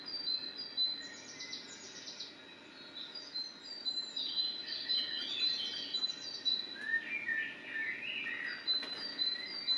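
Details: Singing common blackbird: high twittering notes, then mellow warbled phrases with rising and falling slides in the second half, and a few sharp clicks near the end over low background hiss.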